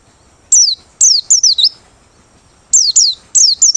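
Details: Open-beak singing of a Merapi white-eye, used as a lure for trapping birds: high, sharp descending whistled notes in quick bursts of two to four, separated by short pauses, with a steady faint high hum behind.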